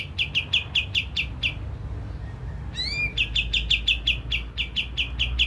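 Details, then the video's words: Repeated bright chip notes from a Javan grey-throated white-eye, played to excite birds into song; a short pause gives way to a sweeping upslurred whistle, then the quick chipping continues against a faint low rumble. "Pancingan kapas tembak langsung emosi dan bunyi"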